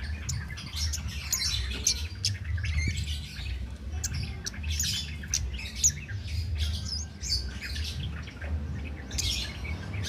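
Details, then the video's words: Cit keres flowerpecker singing tirelessly as a master recording for songbird training: clusters of high, sharp, squeaky chirps and quick descending ticks, spaced irregularly over a low background drone. "Cit Keres Nembak Buat Masteran"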